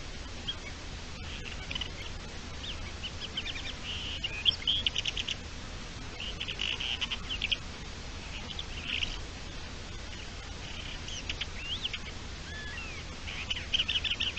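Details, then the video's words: Thekla's lark courtship song recorded on 27 March 2021: short high twittering and whistled phrases repeated every second or two across the recording, fairly distant, over a steady low rumble. "Cortejo cogujada montesina"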